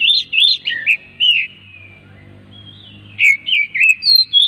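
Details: Oriental magpie-robin song played to coax other magpie-robins into singing: rapid, loud warbled whistles, a fading slide into a quiet stretch with low hum, then another burst of clear whistled notes.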